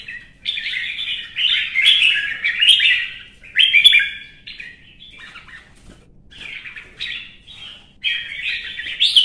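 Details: Competitive singing by a red-whiskered bulbul: rich, chattering warbled phrases delivered in rapid bursts, each phrase tumbling up and down, with short gaps between them and no other clear sounds.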